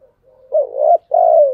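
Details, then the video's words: Cooing spotted dove, chiêu and thúc styles: a soft lead-in murmur, then a throaty wavering coo and a long, smooth falling coo, clear and close. "Tiếng cu gáy chiêu và thúc hay"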